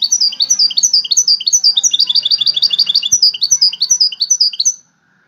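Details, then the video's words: European goldfinch, one of five wild-caught birds in a song competition, delivering a fast, continuous twittering song of high, sharp chirps and buzzy notes, repeated several times a second for nearly five seconds before stopping. "مسابقة افضل تغاريد 5 حساسين ويدانية"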